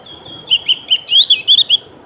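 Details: Bright Javan grey-throated white-eye phrase of rapid high chirps, sliding up and down, bunched into a quick tumbling sequence over about a second and a half.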